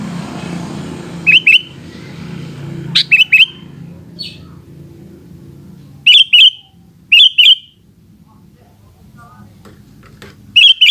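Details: Afternoon sooty-headed bulbul giving short bursts of two or three rising whistled notes every few seconds, separated by pauses, over a low background hum that drops away midway.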